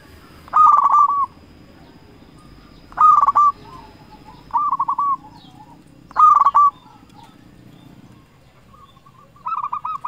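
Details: Zebra dove of a local strain giving a lure song to provoke replies from rival birds: five bursts of purring, trilled cooing spaced about every two to three seconds, with faint low background hum.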